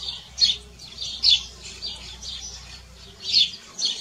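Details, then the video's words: Canary singing in a natural setting, giving scattered short bursts of high, sharp chirps and trills at uneven intervals against a soft steady low background hum. "CANÁRIO CANTADO NA NATUREZA"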